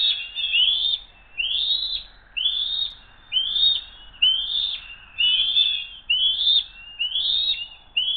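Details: At the nest, one eagle tries to steal food from another that holds on after a short tussle, 07-02-2023 at 12:10; a steady run of eight high, shrill whistled notes, each sliding upward, about one per second.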